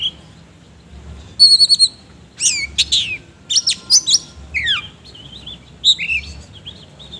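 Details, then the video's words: Oriental magpie-robin in vigorous song with harsh filler phrases, kept bird: rapid trilled high notes, steeply falling whistles and clustered sharp chirps tumbling one after another, low hum in the background. "BURUNG KACER GACOR NGOBRA ISIAN KASAR"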